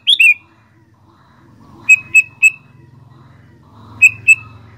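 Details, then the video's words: Sooty-headed bulbul in lively song: a falling two-note opener, then three quick clear whistled notes, and after a pause two more, with a low humming rumble in the background. "Burung Kutilang Gacor Doooor"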